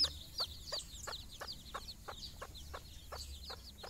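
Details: Hen's steady soft clucks, roughly three a second, with a thin stream of high chick peeps, as she leads her brood outside for their first morning walk.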